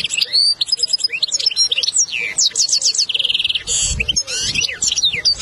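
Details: Lesson song of a European goldfinch, played to teach a young bird: fast tinkling twitter, rapid repeated notes and a harsh buzzy burst partway through, interleaved with sliding whistled notes. Faint low thuds appear near the end.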